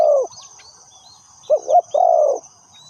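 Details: Decoy spotted dove kept to lure wild birds into a trap, cooing: the tail of a long coo, a pause, then one phrase of two quick wavering notes and a sustained mellow note, with a constant high insect whine.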